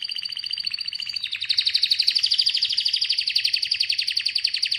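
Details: Singing Atlantic canary delivering a long, rapid rolling trill of tightly repeated high chirps, the pace quickening after the first second and holding steady and loud to the end.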